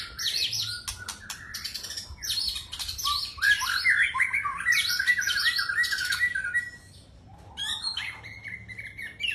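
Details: White-rumped shama singing a rich, varied song of rapid whistles, buzzy trills and sharp squeaky phrases that jump between high and mid pitch, with a short quieter pause near the end.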